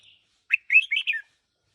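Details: Red-whiskered bulbul, a one-year-old decoy bird, delivers one short song phrase of a sharp note and three quick warbling whistles, preceded by a faint high chirp.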